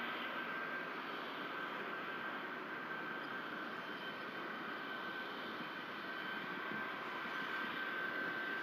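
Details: Even broadband roar of a passing aircraft with a faint steady whine; no animal calls.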